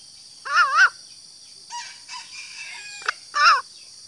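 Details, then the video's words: Green junglefowl hen calling to attract males: two quavering nasal notes framing softer, lower murmurs and a single click, over a constant high-pitched hiss. "suara betina ayam hutan hijau super ampuh untuk memancing suara pejantan"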